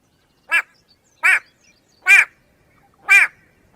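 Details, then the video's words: A White-bellied go-away-bird, named for its call, gives four harsh, nasal, bleating 'gwaah' calls, each arching in pitch, about one per second, against a quiet background. "The extremely annoying sound of the White - bellied go away- bird"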